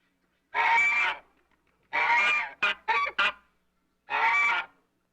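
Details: African goose (domestic swan goose, Anser cygnoides): loud, harsh, nasal honks, with two long blasts, a quick run of three short honks, then a final long honk.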